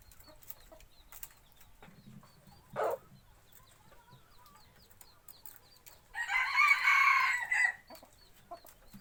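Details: Rooster used as a hunting decoy in the forest, crowing: quiet scattered chirps and a brief sharp note come first, then a loud, full harmonic crow of nearly two seconds rises and falls before fading to near silence.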